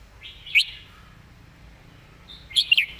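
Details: Red-whiskered bulbul in a cage, singing the master song: a single short bright whistle, a pause of about two seconds, then a quick cluster of three slurred whistled notes.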